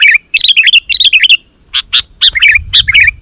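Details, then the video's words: Energetic sooty-headed bulbul singing to provoke wild birds into calling back: quick, bubbly, slurred chirps in a rapid run, then a few sharp separate notes and another short warbled burst. "Suara Burung KUTILANG GACOR 100% Ampuh Untuk Suara Panggilan Kutilang Lain"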